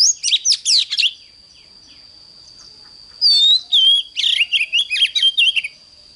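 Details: Oriental magpie-robin giving morning song in the 'căng lửa' style: an opening cluster of rapid jumbled notes, a two-second pause, then whistles leading into a quick varied phrase of sweeping, chirping notes, over a steady high tone.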